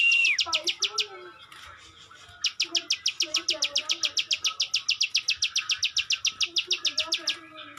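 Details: Ciwah singing a long series of sharp, high, evenly spaced clicks, roughly five per second after a short pause, with quiet lower warbling notes from other birds beneath.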